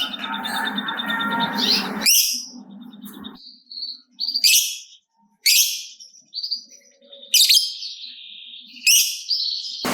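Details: Lovebird, a gacor (prolific singer) bird kept to stimulate other lovebirds, giving sharp high chirps and short buzzy bursts separated by pauses, after an opening stretch of rough noisy chatter.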